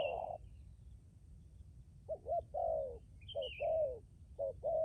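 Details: Spotted dove decoy calling after a short pause: clipped double coos alternating with longer downslurred coos, and a brief higher chirp from another bird.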